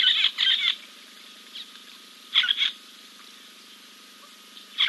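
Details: Giant kingfisher at King's Camp, 2 April 2024, preening after a dip. A loud rasping double burst opens, followed by a faint note, another harsh pair near the middle and one more call at the end.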